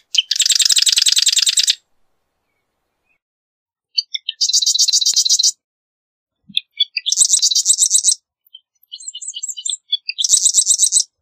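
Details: Marsh wren song: several bursts of fast, buzzy, mechanical rattles, each about one second long, introduced by short high ticking notes and separated by pauses of one to two seconds.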